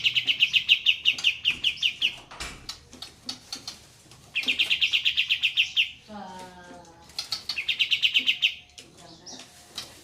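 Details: A group of Olive-winged bulbuls (Pycnonotus plumosus) gives bursts of fast, high rolling trills, each about two seconds long, broken by a lower, falling harmonic call and scattered clicks, over a backing of trickling water.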